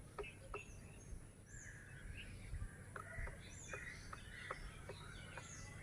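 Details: In breeding season a grey woodpecker, a rare species, knocks out a hole for its eggs in a siris tree branch in Lohajong, Munshiganj, its mate beside it; crisp dry taps roughly every half second, with twittering birds and steady low background noise.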